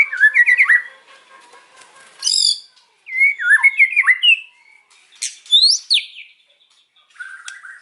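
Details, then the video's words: White-rumped shama singing in the afternoon, a varied medley of rapid trilled chirps, harsh buzzy bursts, looping whistled phrases and sharp falling notes, separated by short silent gaps. "KICAUAN MURAI BATU SORE HARI"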